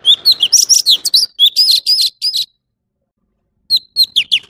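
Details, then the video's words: An orange-bellied leafbird gives a rapid, varied run of sweet whistles and sharp chips at high pitch, pauses about a second, then resumes. "Tiếng chim thanh tước trung quốc/Chim xanh vàng✅Orange-bellied leafbird"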